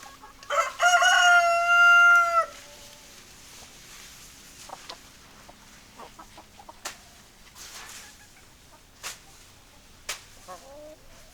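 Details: A rooster crows loudly near the start, a rich harmonic call held about two seconds that ends in a falling tail. Scattered quiet hen clucks and sharp clicks follow through the rest.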